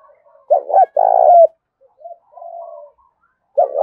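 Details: Contest cooing of a wild-caught spotted dove with a mixed thổ-đồng voice: a two-part low coo, short then long and sliding down, then soft trailing coos and the next loud coo starting.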